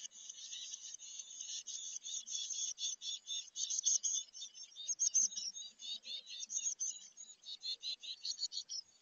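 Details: Chickadee nestlings in a birdhouse, close to fledging, beg in a steady, high, buzzy chorus of overlapping chips and hisses that swells and falls about once a second.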